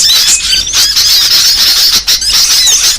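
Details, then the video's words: Lure call used to attract and trap small birds: a dense, continuous chorus of high, thin twittering and chirping, with overlapping quick whistled sweeps and squeaks and no pauses. "Suara paling ampuh pikat segala jenis burung kecil"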